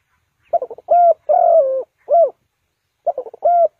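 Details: Spotted dove used as a decoy to lure birds into a trap, calling close by: a quick stutter of short notes, then drawn-out, slightly wavering coos. The phrase repeats after a pause, in quiet surroundings.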